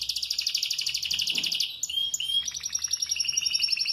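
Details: A moulting canary, still singing all day, gives fast, rolling trills of bright, high notes, switching into a clear whistle and then a steady buzzy trill.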